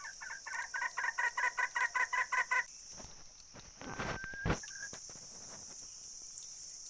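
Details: Red junglefowl giving a quick run of about eleven evenly spaced, clipped clucks over two and a half seconds, then a thin level whistle-like note. A constant high insect buzz fills the background.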